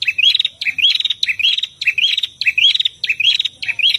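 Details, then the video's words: Female and male prinias singing a rapid, high chirping phrase with a rising whistled note, repeated about every half second without pause; used as a training recording for other prinias. "Prenjak Betina dan Jantan Gacor"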